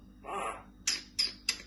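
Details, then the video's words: A pet common myna being coaxed to talk, with "Hare Krishna" and "say" repeated to it, gives one husky, breathy phrase and then three sharp, scratchy, high notes about a third of a second apart, in a quiet room. "শালিক পাখির মিষ্টি কথা বলা"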